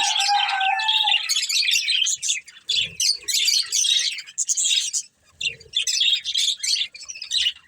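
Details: Budgerigars, a breeding pair, chirp during feeding: a short clear whistle at the start, then rapid scratchy chatter in bursts separated by brief gaps, with faint low knocks.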